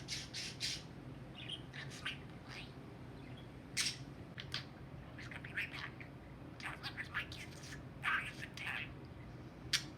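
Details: Pet talking budgerigar, said to talk to everything and even in its sleep, indoors in a small room: bursts of chirpy, scratchy chatter with quiet gaps, over a steady low room hum.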